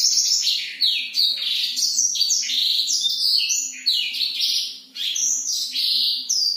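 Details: A black-throated canary sings at night, used to stimulate sluggish birds: a fast, unbroken run of high, varied twittering notes with quick rising and falling slurs, over a faint low hum.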